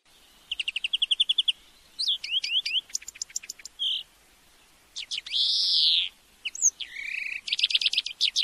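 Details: European greenfinch song lesson recording: quick rolling trills of repeated twittering notes, rising whistled sweeps, and a long drawn-out nasal wheeze, all high and clear with no other sounds.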